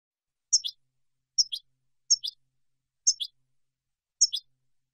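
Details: European goldfinch recorded for silvestrismo song training: five sharp double chirps, high and clipped, falling slightly within each pair, repeated about once a second on a silent background.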